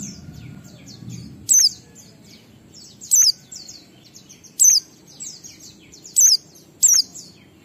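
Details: Oriental white-eye performing ngalas song with a 12345 beat, used to draw other white-eyes into singing. Five sharp high descending chirps spaced about every one and a half seconds, with soft background twittering.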